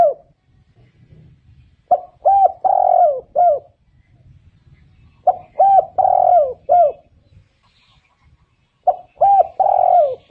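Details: Spotted dove cooing, three phrases of low, soft coos, each a short stuttered note followed by longer mellow, falling coos, repeated every three to four seconds with faint low background rumble.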